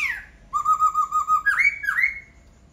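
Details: A falling note, then a long steady whistle with fine vibrato, followed by two swooping rising whistles from a laughingthrush.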